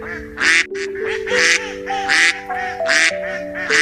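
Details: Duck quacking loudly: about five harsh, nasal quacks spaced roughly a second apart, with background music playing underneath.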